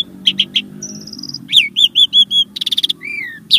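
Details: Caged-bird prompting song from a starling: three clipped chirps, then a long thin high whistle, then a series of bright looping notes, a buzzy rattle and a falling whistle.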